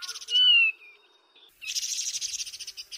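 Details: Taiwan barwing (Actinodura morrisoniana) gives a clear, slightly falling whistle, then after a short pause a harsh, rapid chattering rattle lasting over a second.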